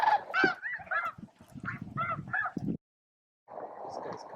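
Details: Snow geese feeding and squabbling over space at Bosque del Apache at midday; a quick run of harsh honks from several birds, then a brief silence before a low, murmuring flock noise returns.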